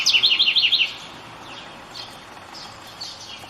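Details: House wren singing in the wild at dawn on a rainy day, giving a quick run of about six high, bouncing trilled notes under a second long, followed by faint distant chirps over a soft, steady hiss.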